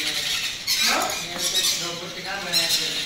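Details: A baby macaw at feeding time gives harsh, raspy begging squawks in three short bursts over a steady hissing background, with faint voices underneath.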